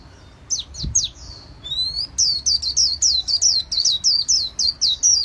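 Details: Caged white-eye of the fanned-tail singing type: a few scattered high downslurred notes and one soft knock, then a rapid string of bright, looping whistled notes repeating nearly four per second.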